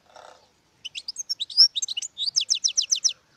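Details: European goldfinch song: a few scattered liquid chirps and slurred notes, then a fast, even series of bright twittering notes near the top of the range. A faint low murmur is heard just before the song starts.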